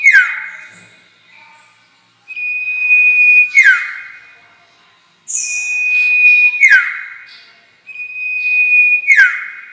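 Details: Repeated common iora calls used to lure birds into traps: long level whistles of over a second, each ending in a sharp downward slur, given three times about every three seconds.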